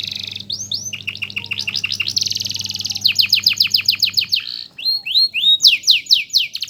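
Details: Canary master bird singing for song training. Rapid rolling phrases of short repeated notes and a buzzy trill give way, after a brief pause, to loud swooping whistles. A low hum fades out midway.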